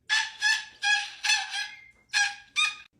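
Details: Pet cockatoo indoors gives a series of harsh, hoarse squawks, several short rasping bursts in uneven rhythm over three seconds, grouped in pairs, while its owner chats nearby.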